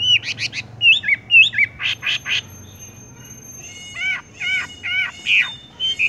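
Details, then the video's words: Horsfield's bush lark singing 'tung roll' with hanging and rolling phrases: rapid twittering and slurred whistles, a short pause, then a series of harsher, wavering notes repeated about every half second. "wambie tung roll gantung langsung ngerol"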